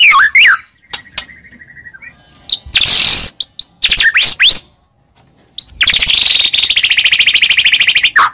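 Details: Lure song of a white-rumped shama meant to make another bird answer: swooping whistles and sharp notes, interrupted by harsh noisy bursts and a long rapid rattling trill toward the end.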